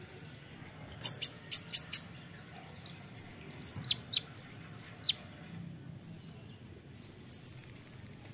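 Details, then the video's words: Kolibri ninja (olive-backed sunbird) singing in the 'nembak rapat' style for a songbird training recording: sharp ticking chips, then varied high slurred whistles, ending in a fast, steady, very high trill. "masteran kolibri ninja (konin) nembak rapat"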